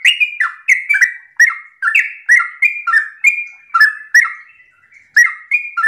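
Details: Yellow-vented bulbul (trucukan) in full morning song, the long, rapid 'ropel' style meant to provoke other bulbuls to reply. Bright, bubbling, fluty notes tumble out almost without pause, each dipping and rising in a steady chattering stream.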